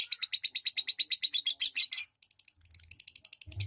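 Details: Lovebird ngetik ngekek chatter: two seconds of rapid, regular high ticks, a pause, then quieter broken ticking with low thumps.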